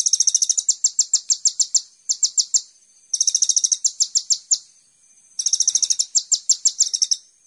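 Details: High, rapid chirping song of a sunbird (kolibri ninja), a master for teaching songbirds: four trilled bursts of sharp notes, slowing slightly toward the end of each, with brief pauses between.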